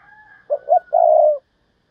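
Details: Decoy spotted dove calling thúc bổi: paired short coos lead into a long, throaty, gently descending note, with a thin steady whistle faintly in the background.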